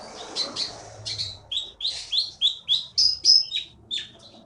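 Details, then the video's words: Champion contest songbird taken from the Bangka forest, singing a steady run of short, high, sharply inflected whistled notes, about three per second, rising and falling, over faint low background hum. "KEETY BURUNG JAWARA FULL GACOR"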